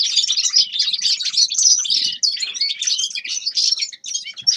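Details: Songbird song from a Grey-crowned goldfinch: rapid, bright twitters and chirps tumbling together in a steady high warble, with a faint low knock partway through.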